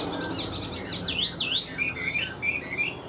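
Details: Chinese hwamei singing clear, high whistled notes: quick up-and-down slurs followed by short, bright rising phrases, over faint background noise.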